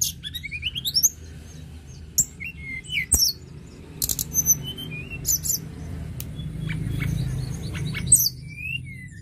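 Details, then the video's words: Sunda robin in active song, used to stimulate other birds to sing: a lively, high-pitched song of quick chirps, sharp clicks and sliding whistles in short bursts, over a low steady hum. "Tledekan gunung gacor"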